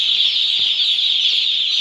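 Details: About 1,100 newly arrived chicken chicks in a farm shed around dawn, busy running and feeding, make a dense, unbroken clamor of high, shrill peeps that merge into one constant bright chorus, with a faint low thump underneath.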